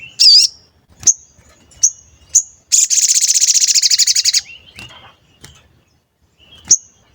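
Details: Sooty-headed bulbul with 'cuit cuit' calls, played as a lure to provoke singing: a wavering high chirp, several short sharp ticks, then a rapid high trill of about two seconds, followed by more isolated chirps.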